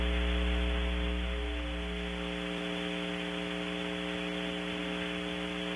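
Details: Electrical mains hum with stacked steady tones and static, a low rumble fading early on.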